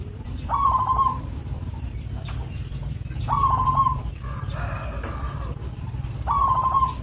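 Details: A local zebra dove repeats brief trilled cooing phrases about every three seconds, each under a second long, against a steady low rumble and a faint noise between phrases.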